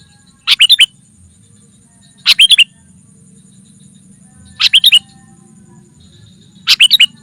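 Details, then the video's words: Sooty-headed bulbul calling energetically to draw in wild rivals: four brief, tight chattering bursts about two seconds apart, each a fast cluster of slurred notes, over a steady low background hum. "Suara Burung Kutilang Pikat GACOR SUKSES Memanggil Lawan! Kutilang Liar Auto Kumpul"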